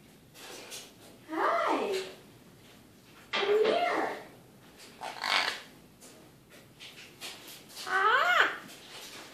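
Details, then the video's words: Eclectus parrot kept at home, chatting in the evening: four separate harmonic, voice-like utterances spaced about two seconds apart over a faint room hiss. "Evening talk with Eclectus Parrot"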